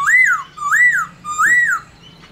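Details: Three strong, rounded whistles from a laughingthrush, each rising then falling over roughly half a second, delivered to get other laughingthrushes singing.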